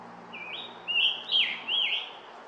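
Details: Scarlet tanager sings about four hoarse, burry, robin-like phrases in quick succession, mid-pitched, slurred up and down, quiet background; Stony Brook Audubon Wildlife Sanctuary trail.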